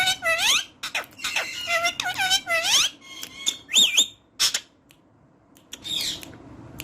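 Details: Parrot talking: a string of bright, whistled, speech-like phrases with sliding, rising and falling tones in quick bursts, then a pause and a softer final phrase.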